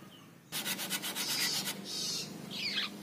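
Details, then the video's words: Long-tailed shrike chick, out of its cage and in full voice, gives a rapid run of rasping pulses, about eight in a second, then a broad hissing note and a high squeaky twisting whistle. "Anakan Cendet Konslet Gacor Di Luar Sangkar"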